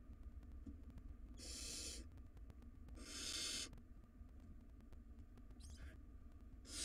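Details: Barn owl nestlings, wild, tugging at an oversized rodent give two strong hissing screeches about a second apart, followed by a fainter short rasp and another screech beginning, over a constant low hum.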